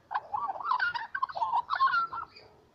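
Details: Little magpies in the morning deliver a brief, loud burst of gargling, fluted warbles, several notes tumbling together before fading out.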